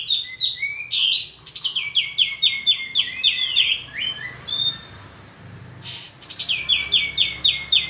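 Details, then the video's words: Lure call of the sooty-headed bulbul: quick runs of sharp, high, downward-slurred chirps delivered in bursts, a brief pause near the middle, then another fast chirping sequence, with a couple of scratchy noise bursts between phrases. "suara pancingan burung kapas tembak"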